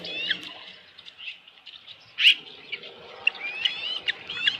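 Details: Osprey nest on a ranch, evening of 15 July 2018, after a headless fish is brought in: soft scattered high chirps and thin whistles with a louder sharp note midway, over a quiet, slightly noisy background.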